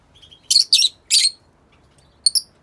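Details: Masked lovebirds (Agapornis personatus) in an outdoor aviary: three loud, harsh, high chirping bursts in quick succession, then a short double chirp after a pause, over a quiet background.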